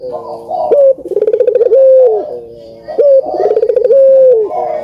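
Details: Spotted dove song used as a lure to prompt lazy birds into singing: deep cooing notes with a rapid stuttering rolled section, ending in a long steady coo, the phrase repeated twice.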